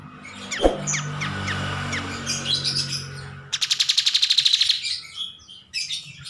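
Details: Bulbul known locally as kapas tembak, a lively singer used as a master recording for training. Assorted sharp chirps and short whistled notes, then a fast buzzy trill of rapidly repeated pulses lasting about a second, with steady low hum beneath.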